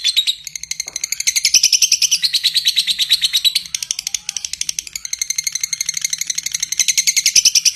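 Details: Lovebird giving a long, harsh ngekek trill: rapid, even chattering pulses repeated many times per second, sustained for several seconds with a brief break near the middle before resuming, high-pitched and dense throughout.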